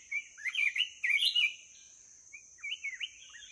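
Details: Red-whiskered bulbul, an old wild-caught bird praised for its voice, from Ho Chi Minh City, giving lively warbled phrases of rapid looping whistles in two bursts, with a steady high hiss in the background.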